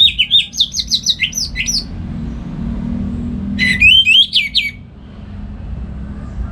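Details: Orange-headed thrush (anis merah) singing in the morning at home, kept for training other songbirds; two bursts of rapid, varied whistled phrases, high and slurred, separated by a pause with low background hum.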